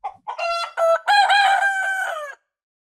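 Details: A farm rooster gives one full crow at daybreak, opening with a couple of brief notes and then a sustained, loud, harmonic cock-a-doodle-doo of nearly two seconds that ends abruptly into silence.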